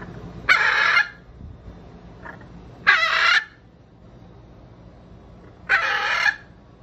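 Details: One of three pet hyacinth macaws during daily outdoor time gives three loud, harsh, grating squawks, each about half a second long and two to three seconds apart, with a faint shorter call between.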